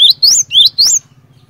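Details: Cinereous tit (glatik batu) song used as a lure to make other birds of its kind call: four piercing whistled notes alternating low-short and high-rising, a bright 'ti-tuee ti-tuee', then a fading low hum.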